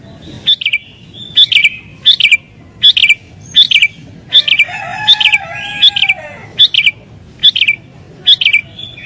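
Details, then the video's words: Agitated sooty-headed bulbul singing to provoke rivals and call in wild birds: crisp repeated chirps about once a second, with a brief lower whistled sound mid-clip and a steady low background hum. "Burung Kutilang Gacor Isian Cocok Buat Pikat Burung Kutilang Liar"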